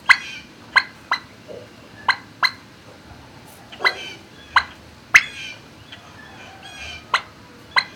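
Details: Barn turkeys on 26 March 2019 near noon give a fast run of abrupt, clipped clucks, roughly one to two per second, some trailing into a faint rattle, with low background hum throughout.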